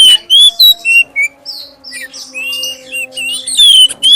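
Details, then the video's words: Oriental magpie-robin of the black-breasted type giving a clear prompting song meant to set other magpie-robins singing: rapid run of pure slurred whistles, rising and falling, about three notes a second, mixed with brief buzzy notes over a faint hum. "suara pancingan kacer dada hitam suara jernih"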